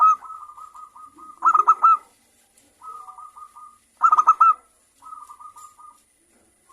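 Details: Morning song of a local zebra dove, called perkutut: soft, even strings of low cooing notes alternate with louder, punchy bursts of three or four rapid accented notes, each burst roughly two and a half seconds apart.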